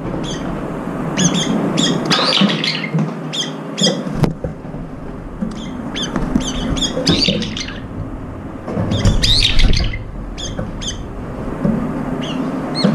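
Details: Many brown-eared bulbuls eating and competing for food; dense, repeated shrill squawks arrive in clusters, roughly four per second, over rumbling low noise and occasional knocks.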